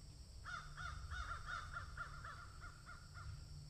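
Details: Rapid rhythmic cawing from a crow during feeding, a dozen short arched harsh notes in quick succession, gradually fading, over a strong low rumble.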